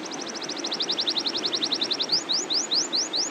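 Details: Canary in a long rolling song: a rapid even trill of paired high notes for two seconds, then slower upward-swept whistles about every quarter second.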